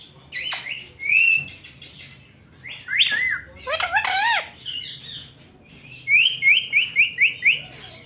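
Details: Pet Indian green ringneck parakeets together before a mirror indoors: squawky arched calls and whistles, then a fast series of six short rising whistled notes near the end.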